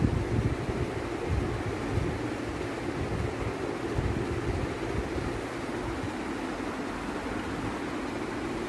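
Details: Steady low rumble of wind and surf, with possible vehicle or boat engine noise underneath and no animal calls.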